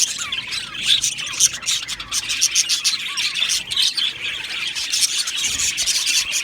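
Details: Chirping of a budgie colony in an aviary, a thick chorus of high twittering with scattered sharper whistled notes and short squeaks popping out above the constant chatter.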